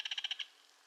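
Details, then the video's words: Belted kingfisher calling: a short dry rattle of six harsh, evenly spaced pulses in under half a second, then quiet. "Belted Kingfisher Call"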